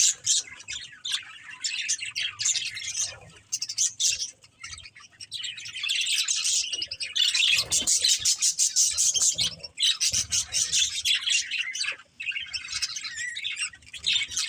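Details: A flock of budgies chirps steadily, a thick wash of scratchy warbles, ticks and high squeaks, growing louder and busier in the second half.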